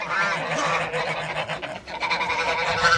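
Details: A pair of Toulouse geese kept in a backyard call continuously with harsh, nasal honks and cackles, a dense chatter of overlapping calls with little pause.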